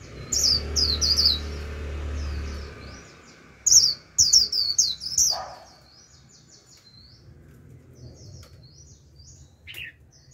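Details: Japanese white-eye used as a lure for wild flocks: clusters of high, quick chirps in short bursts, with a steady low hum under the first part and scattered faint distant twitters later.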